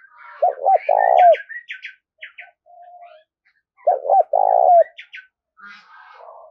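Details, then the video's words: Two cooing phrases from a spotted dove used for stimulating wild doves and training decoys, each with hooked coos and a long rolling coo, while small birds chirp and twitter in the background. "tiếng cu gáy kích bổi nhanh nổi xiêng gáy và tập mồi rất hiệu quả"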